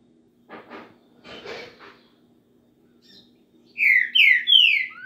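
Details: Green-winged saltator singing: after soft rustling, three loud, clear whistled notes in quick succession, each slurred downward, with a steady low hum in the background.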